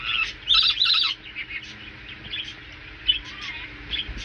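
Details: Rainbow lorikeet kept as a family pet, calling while taking a bath: loud harsh screechy chatter in two bursts early on, then softer scattered chirps and a brief whistle, over splashing water.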